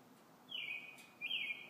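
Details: Robins singing in the evening: two bright whistled phrases, each dropping sharply into a sustained level tone lasting about half a second, separated by a short pause, over low steady hiss.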